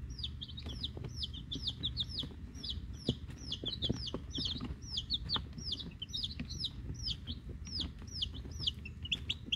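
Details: Week-old chicks, a brood of Rhode Island Red and Black Sumatra hens with one mystery chick, hatchery-bought; many overlapping high, downward-slurred peeps repeated rapidly throughout, with low rumbling background noise and occasional clicks.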